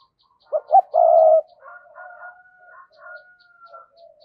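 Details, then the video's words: A spotted dove used as a decoy to stir up wild doves, giving two short sharp coos, then a long loud hollow one, then softer trailing coos, with faint regular ticking in the background. "Chim Cu Mồi Thúc Và Gáy Gọi Giọng Đôi/ tiếng chim cu gáy kích bổi hiệu quả"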